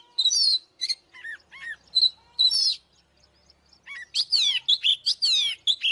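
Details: Fighting song of an oriental magpie-robin, with clear whistles and short downward-slurred notes, a brief silence, then a burst of rapid descending sweeps and rich warbled phrases.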